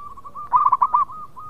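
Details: Local zebra dove used as a lure for breeding birds, giving one brief burst of five fast, clear cooing notes, preceded and followed by softer, evenly spaced notes at the same pitch.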